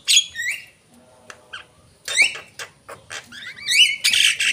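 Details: Javan myna lure calls: a loud squawk and whistle, a quiet gap with faint notes, then renewed harsh squawks and a rising whistle ending in a noisy burst.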